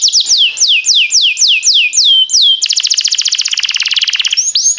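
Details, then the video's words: Timbrado canary in training song, giving a regular run of downslurred whistles, about four each second, followed by a very rapid rattling trill and a few rising notes. "Cantar canário faz seu canário cantar"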